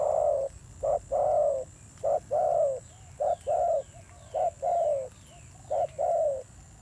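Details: Spotted dove, a newly caught wild bird with a fierce voice, cooing repeatedly in hoot-and-long-coo pairs about one per second. Faint high, descending chirps from other small birds are heard in the background.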